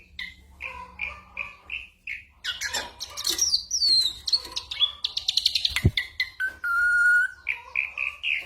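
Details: Ashy drongo singing a medley of imitated bird and gunshot sounds, a tutor for training songbirds: short whistled notes, then a burst of harsh chatter, a sharp crack, a drawn-out pure whistle and more whistled notes.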